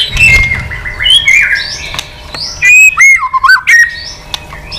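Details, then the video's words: White-rumped shama in rivalry song, an old wild-caught bird, excited and flicking its tail. Drawn-out gliding whistles shift in pitch, then give way to a clear loud rolling phrase with quick dips. "chòe lửa già rừng giọng chất. kích chòe lửa sổ nhiều giọng. chòe lửa căng lửa tạch đập đuôi liên tục"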